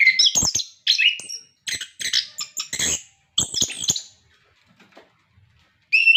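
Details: Orange-headed thrush in lively full song, used as a training recording to prompt captive birds to sing: varied whistled and scratchy phrases in bursts with short pauses, a final rising whistle at the end.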